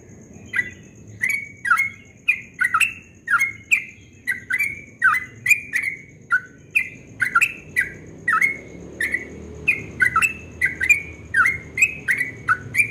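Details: At dawn, a Yellow-vented bulbul gives a sustained 'ropel' song called very sweet: steady run of about twenty-five short liquid notes at two per second, alternating dipping and slightly rising shapes, clicks accompanying each, faint low hum underneath.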